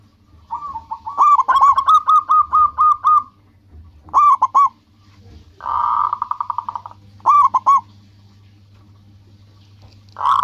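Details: Vigorous local zebra dove, used to call companions and provoke rivals into answering, delivers a long run of rapid soft coos, then shorter bursts, plus a harsher buzzy rolling phrase; low hum beneath.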